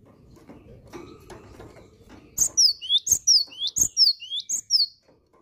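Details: A cinereous tit (gelatik batu) in full, persistent song. Soft tapping and rustling give way to a long series of loud, high, down-slurred whistles in quick regular pairs, about three per second.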